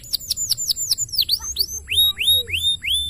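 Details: Canary in full song, with rapid downward-sweeping chirps giving way to a series of clear rising whistles repeated about every third of a second.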